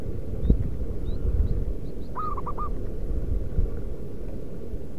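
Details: Wild local zebra dove calling as a lure for doves: one clear cooing phrase, a sustained note then quick stuttering notes, with thin high chirps from small birds before it and low rumbling background noise.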